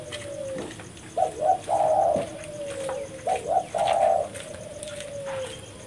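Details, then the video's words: Spotted dove, called tekukur, calling as a lure for trapping birds: two rounds of short cooing notes near 600–800, each a pair of quick coos then a longer trembling coo, trailing into a faint falling note; steady background hiss. "suara burung tekukur gacor paling ampuh untuk pikat dan pancingan"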